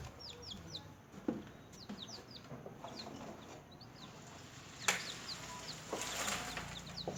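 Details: Small newborn chickens chirping while feeding: rapid high peeps, each sliding downward, come in loose clusters, with sharp tapping clicks and a rustling burst near the end.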